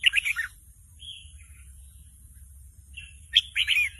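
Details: Juvenile red-whiskered bulbul learning to sing, singing along to a played caller recording; a quick chattering burst opens, soft whistled notes follow, then another bright warbled burst closes.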